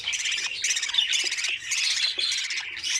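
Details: Budgerigar chicks in an opened nest being fed: continuous raspy, buzzy begging squeals in overlapping bursts about every half second.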